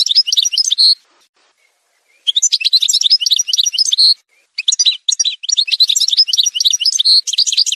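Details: Edited song montage of an Algerian goldfinch (parva): bursts of fast, liquid twittering with bright ringing notes, separated by short silent breaks of one to two seconds.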